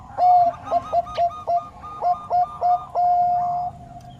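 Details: Song of a Bangkok zebra dove: a string of brief, hooked cooing notes at an uneven pace, closing with a steady, prolonged coo.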